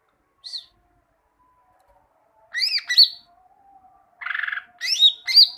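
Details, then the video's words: Greater green leafbird singing on a tutor recording for training leafbirds to sing. It gives a lone high chip, then slurred whistled notes, a buzzy rattling trill, and a final pair of sharp rising-falling whistles. "Masteran cucak ijo, masteran burung cucak ijo agar cucak ijo rajin bunyi"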